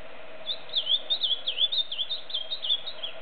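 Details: Ultramarine grosbeak singing free in the wild: a quick warbling phrase of slurred whistled notes that sweep up and down in a continuous run for about three seconds, with a faint steady low hum underneath.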